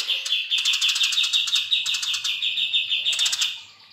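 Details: Long chirping song (nyrecet panjang) of an actively singing Eurasian tree sparrow: a steady, rapid stream of sharp high-pitched chirps lasting over three seconds, fading away at the end.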